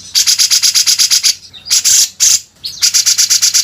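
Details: Grey-cheeked Bulbul in a master recording for training songbirds, giving harsh, buzzy, scratchy bursts repeated in quick runs of about three per second, broken by a few longer rasping notes and short pauses.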